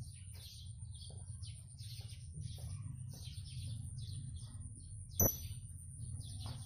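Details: Blue-crowned hanging parrot in full song: a fast series of thin, high, squeaky chirps repeated roughly twice a second, with a brief sharp click near the end, over a steady low hum.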